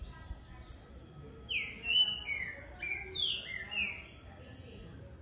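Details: A juvenile green-winged saltator sings a run of clear, downslurred whistles, five or six notes stepping along in a loose series, with a few high thin chips above and soft background noise.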